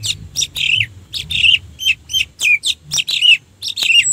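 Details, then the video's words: Orange-headed thrush song used as a lure to provoke other birds to sing: a rapid run of bright, high, slurred notes and chirps, about two or three short phrases each second. "suara Anis merah untuk pancingan"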